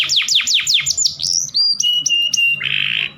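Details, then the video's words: Canary breeding song played to stimulate mating in sluggish males: rapid descending whistled sweeps, then sustained high whistles and a buzzy trill at the end, with faint low background hum. "Kicauan Kenari Kawin Paling Ampuh Menaikkan Birahi Pejantan Loyo"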